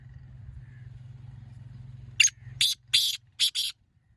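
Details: Black francolin giving its call, a rhythmic run of five harsh, rasping notes, the middle ones longest, after a low rumbling hum fades away.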